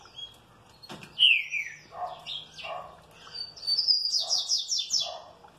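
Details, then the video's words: Well-treated green-winged saltator responding joyfully: a strong falling whistle, short slurred phrases mixed with lower soft notes, then a quick run of bright repeated high notes. "TRINCA FERRO MANDRAKE BEM TRATADO RESPONDE COM ALEGRIA"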